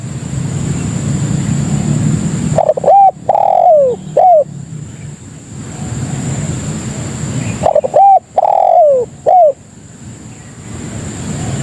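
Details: Two loud coo phrases from a spotted dove, used as a lure call to bring in other doves, each a clipped short note, a longer falling note and a short note, separated by about five seconds of low rumble and a steady high tone.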